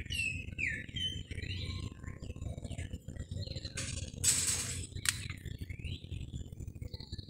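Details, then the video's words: Calandria singing: scattered short whistled and slurred phrases, some rising and some falling, separated by brief pauses, over a steady low rumble, with two loud broadband noise bursts near the middle. "Calandria cantando al son de un jazmín"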